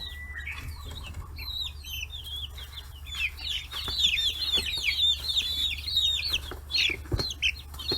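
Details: Many forty-day-old chicks swarming fish heads at a free-range farm in Kitahiroshima, Japan; dense, loud, overlapping high peeps and trills building through the middle, with sharp pecking clicks.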